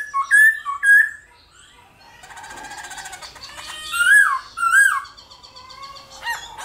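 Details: Black-throated laughingthrush singing in the morning in competitive 'hót đấu' style. Paired whistled notes open the passage, then a stretch of fainter buzzy, chattering sound, then more loud downslurred whistles and a closing whistled note.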